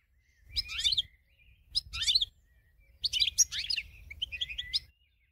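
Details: Goldfinch song from a competition winner bird used for training other birds: three bursts of rapid, liquid twittering mixed with buzzy trills, each phrase about a second long and separated by short pauses.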